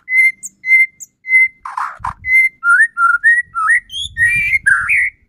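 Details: Song of a white-rumped shama, used to stir up another shama into singing: a clear flat whistle repeated three times, a short harsh burst, then a run of varied rising and falling whistled notes.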